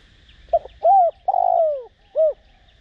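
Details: Spotted dove used as a decoy, calling in the 'Đồng Rặc' voice to stir other doves into cooing: one phrase of a clipped note, a smooth arched coo, a long vibrating downslurred coo and a short rounded ending.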